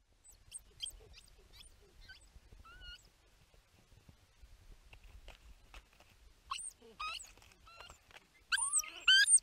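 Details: A Bermuda petrel pair reunites in their nesting burrow on Nonsuch Island, Bermuda, on the evening of January 13, 2019, days after the egg was laid. They give excited bursts of thin, high squeaks and sliding squeals that grow louder, over faint rumbling.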